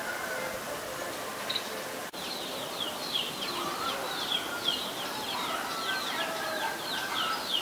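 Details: Adult Chestnut-headed Bee-eater in Ubon Ratchathani, Thailand, on January 4, 2020: a rapid run of short, high, down-slurred chirps, several each second, over a faint low hum and a brief click.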